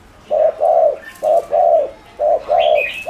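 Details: Coos of a spotted dove meant to excite other doves, three short-long pairs of soft, low notes, with a brief higher bird chirp near the end.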